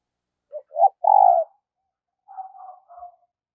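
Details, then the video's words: Decoy spotted dove, kept for luring and training other doves, cooing: two short soft notes, then a longer, louder coo, followed by a quieter, wavering phrase after a pause; otherwise silent. "Luyện Giọng Chim Cu Gáy Mồi Mỗi Ngày"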